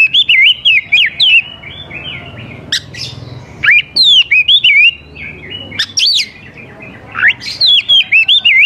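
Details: Lively oriental magpie-robin song meant to draw young forest birds into replying; loud looping whistles that rise and fall, mixed with abrupt piercing upward notes, in three bursts separated by brief quiet gaps.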